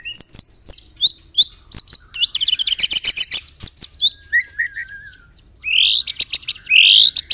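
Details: Murai batu in powerful song with canary and cililin mimicry: crisp paired chips, a long rapid rattling ketrekan, a low warbled whistle, then rough upward-sweeping buzzes.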